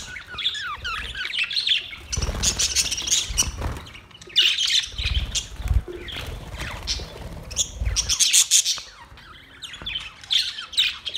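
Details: Colony of white and green parrots recorded on August 26, 2023: many overlapping high chirps and squawky tweets in bursts, mixed with wing flapping and low thumping knocks, quieter gaps between busy stretches.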